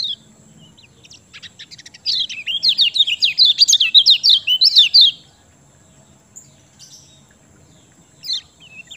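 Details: Kecial kuning singing as a lure for birds reluctant to sing: a quiet start, then a dense three-second run of quick, high, jerky chirps, and later a lone high slurred note. A thin constant high tone sits underneath.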